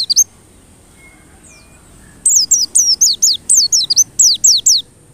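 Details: White-eye lure song meant to provoke white-eyes into singing persistently: a brief opening chirp, then a fast burst of about eleven high, sharp, down-slurred whistled notes, each with a quick flick, over a faint low background hum.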